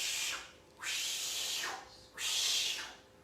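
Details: Captive great horned owl at a bird rescue centre giving its begging call: long, harsh, hissing rasps about a second each, repeated with short pauses between them.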